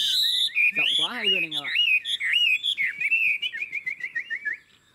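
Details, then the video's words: Caged Chinese hwamei in a small room singing a long ngũ trường song: bright whistled phrases and a brief raspy burst, then a run of short rising whistles repeated rapidly and fading out. "Ngũ trường, Dài ngoằng, Chất giọng rừng ko lẫn vào đâu đc"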